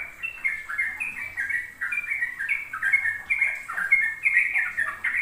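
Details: Sooty-headed bulbul in ropel song, a lure for juvenile birds learning to sing: quick, liquid notes strung tightly together, slurring up and down without pause.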